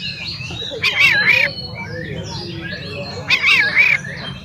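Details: Oriental magpie-robin singing to provoke rivals: two loud, slurred, wavering whistled phrases a couple of seconds apart over soft chatter from other birds and a low background hum.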